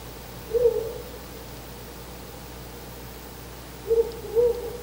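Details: Pre-dawn nest visit by a male Ural owl, 4 August 2020: a deep, mellow hoot, then silence, then a quick pair of hoots near the window, with low background hum throughout.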